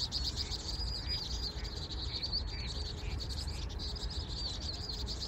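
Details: A bird sings high, wavy whistled phrases in quick succession, some with short chirps between them, against steady low rumbling noise.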